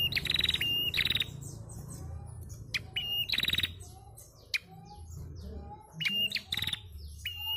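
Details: Female bar-winged prinia calling to stir untrained males into song: several phrases, each a short steady high whistle followed by a rapid buzzy pulsed burst, given in quick bouts over a low rumbling background hum.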